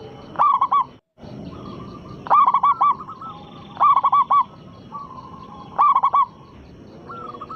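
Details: Loud-voiced local zebra dove, used as a lure for other doves: four strong, rapid, burry coo phrases spaced about two seconds apart, with weaker background cooing from another dove.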